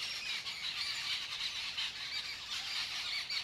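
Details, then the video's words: Jungle Babbler flock noisily mock-fighting on a tree branch in an orchard as spring nears and the breeding season begins; dense, continuous harsh squawking chatter from several birds overlapping throughout. "Jungle Babbler flock noisily mock-fighting on tree branch"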